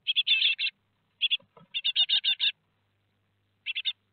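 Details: Great tit nestlings at Théding, France, fledging on 17 July 2020, four young: rapid groups of raspy, chirping notes repeated in bursts, with a brief low thump between them.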